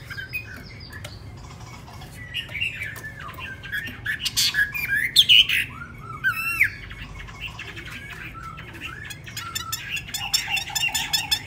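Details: Tame caged Chinese hwamei in Hanoi, newly brought home the previous evening, singing indoors: varied loud whistles, slurred rising and falling notes and rapid chirps, bursting strongest in the middle, then dense quick twittering; low room rumble beneath.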